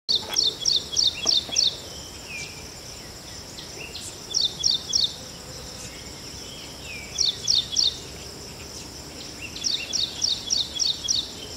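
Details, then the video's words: An Ashy prinia gives short bursts of high, sharp ticking notes, four to seven quick notes per burst, spaced a few seconds apart. "Ashy Prinia Call"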